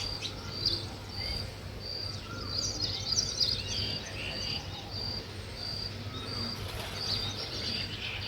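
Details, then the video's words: Weaver birds building a nest chirp busily, with high, short notes repeating about every half second over a steady low hum and background noise. "Weaver Birds Building Nest"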